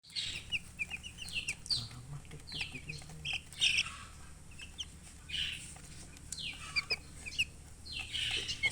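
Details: Chicken chirping, several short descending high-pitched peeps in quick runs, overlapping from more than one bird, with brief louder bursts of chirps and a low steady hum underneath.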